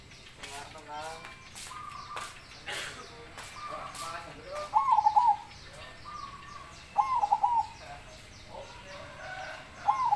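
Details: Zebra dove said to have a big voice, repeating its rolling, wavering coo three times about every two and a half seconds, with clicks and murmuring sounds early on and low background hum.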